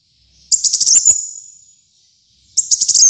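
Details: Singing brown-throated sunbird (kolibri muncang), recorded for training and luring birds: a quick cluster of sharp high chips sliding into a fading thin whistle, then silence before another chipping burst begins.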